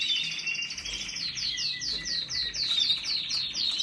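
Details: Canary song moving from a buzzy rattle into a run of repeated downward-sweeping whistled notes, about four per second, bright and ringing.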